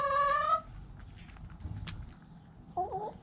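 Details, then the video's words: A backyard hen opens with a loud, slightly rising harmonic call lasting half a second, then quiet scratching, then a short wavering squawk near the end. "Backyard Chickens Relaxing Video! HD Long Video Hens Clucking Roosters Crowing!"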